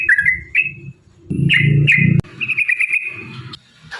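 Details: Yellow-vented bulbul song used as a lure to provoke rivals into calling: short bright warbled phrases around mid pitch, a burst of rapid chattering notes late on, with low rumbling noise beneath.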